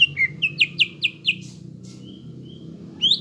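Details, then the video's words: Full-voiced greater green leafbird song used to stimulate young birds: a quick series of sharply down-slurred whistles, then a pause with faint thin notes, and a final rising whistle. "PANCINGAN CUCAK IJO BAHAN ATAU BAKALAN AGAR CEPAT GACOR"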